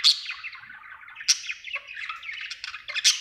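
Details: Budgerigar, described as happy, chirping: a continuous scratchy warble of rapid chattering notes with loud sharp clicks at the start, middle and end.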